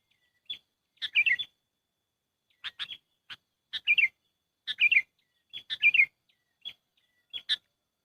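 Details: Sooty-headed bulbul calls played as a lure for trapping: scattered sharp single chirps mixed with fuller bubbling, descending phrases, irregularly spaced about once a second over quiet background.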